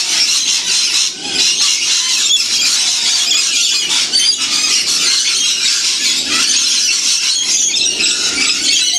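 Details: Many wild lorikeet parrots feeding together in winter in the Blue Mountains about 30 km from Sydney; an unbroken wall of shrill, scratchy screeches and chatter from the flock.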